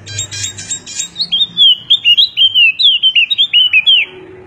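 A golden-headed white-eye opens with a few dry chips, then runs into a quick, sweet warble of high slurred whistles, about four notes a second.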